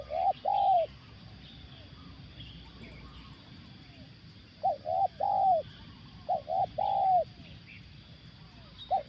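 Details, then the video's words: Spotted Dove cooing during a luring session with a live decoy at a factory site; low, hollow coos in short phrases of two to four notes, with phrases near the start, around five seconds and around six and a half seconds, then a final note. "pemikat tekukur"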